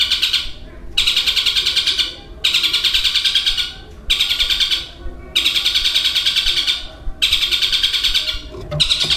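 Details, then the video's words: Caged long-tailed shrike imitating other birds, including sparrow fights and a long lovebird chatter; five bursts of rapid, harsh, high chattering, each lasting one to two seconds, separated by short silent pauses. "Suara Burung Cendet Materi Kombinasi Tengkek Buto Kunti Gereja Tarung dan Lovebird Ngekek Panjang"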